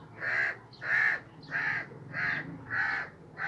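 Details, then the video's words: Harsh, hoarse caws from a crow perched on a sheep's back, six calls in quick regular succession, each slightly drawn out, with a low background hum. "Crow Sitting on Sheep Back, Making Noise"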